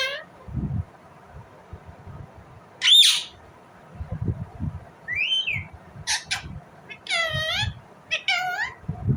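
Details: Indian ringneck parrot chirping naturally: one sharp squawk, then a run of varied screeches, some wavering and descending, others short and rasping, amid low thuds and rustles.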